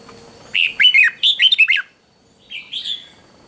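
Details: A red-whiskered bulbul in morning singing training gives a rich, rollicking phrase of six or so quick warbled notes dipping and rising. After a brief silence come two softer, fuzzy chirps.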